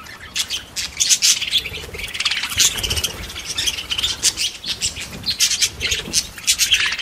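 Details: A loud chorus of parakeets with dense overlapping chirps, squeaky twitters and harsh short squawks pouring out continuously, plus some low rumbling noise.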